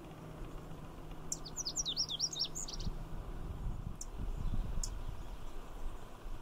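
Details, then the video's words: In Magnuson Park, a male Lazuli Bunting hangs on poison hemlock and sings, near another male and a female: a rapid burst of high, zigzagging warbled notes lasting just over a second, followed by low rumbling noise and a few faint ticks. "Lazuli Bunting singing in the poison hemlock"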